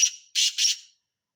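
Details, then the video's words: Black francolin (Sindhi tetar): fading end of a harsh note, then two rough, buzzy rasps in rapid pair, clear against silence. "Sindhi tetar"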